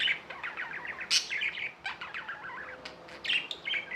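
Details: Budgerigar chatter: rapid strings of chirped, warbling notes with a few sharp, higher squeaks, continuing almost without pause over a faint hum.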